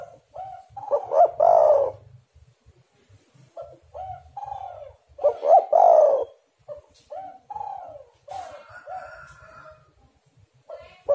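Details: Spotted dove (tekukur) calling, used as a lure to make other doves sing: low, hoarse cooing phrases, each a few quick notes ending in a long drawn-out coo, repeated about every five seconds, with softer cooing between them.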